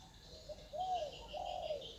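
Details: Wild spotted dove in calm natural surroundings. Faint lead-in notes are followed by two fuller, hollow coos. Constant high-pitched insect buzzing is heard throughout.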